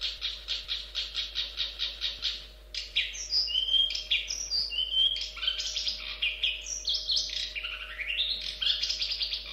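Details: Singing long-tailed shrike (cendet) in 'gacor' form: a run of quick, rasping repeated notes, then a varied medley of clear whistles, slurred chirps and rising notes over a faint hum.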